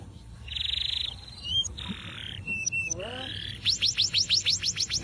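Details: Atlantic canary singing freely outside a cage, song used as a master recording for training other birds; buzzy trills, a long whistled note, descending slurs, then a rapid run of high rising chirps.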